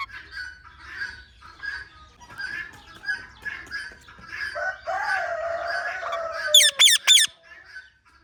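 Rose-ringed parakeet giving rapid, repeated harsh chirps and squawks, ending in a few loud, sharp screeches, with other birds chattering in the background.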